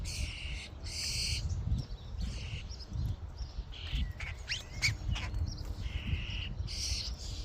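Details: Common starlings in a flock at a feeding station give harsh, rasping bursts about a second long, mixed with thin sharp whistles and clicks, against a low constant rumble.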